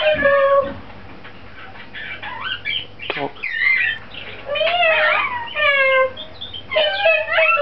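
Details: A pet lorikeet saying hello for its owner, who is overseas on holiday and missed by the bird, chattering speech-like phrases with rising and falling harmonic notes and short squawky bursts.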